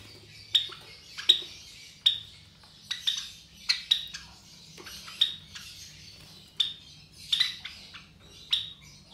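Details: Three captive Java sparrow chicks about 23 days old, offspring of white Java sparrows, giving short sharp high chirps in loose series, roughly one or two per second, with faint low room hum beneath.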